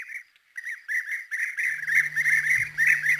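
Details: European bee-eaters, rare or passage birds in Corrèze, France, give rolling, liquid 'prruip' notes, several a second, mid-pitched and overlapping; a low steady hum runs underneath in the second half.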